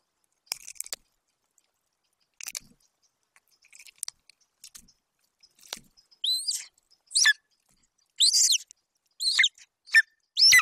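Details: Young male golden eagle at a Bucovina nest, 27 July 2021, guarding a partial Eurasian hare delivered by his mother. Faint scattered clicks and rustles give way to a run of sharp, high, downslurred chirps in the second half.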